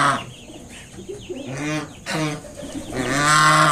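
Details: Hoarse, low nasal honks build to a loud, long call at the end as a kept mother swan drives an approaching person away from her five new cygnets.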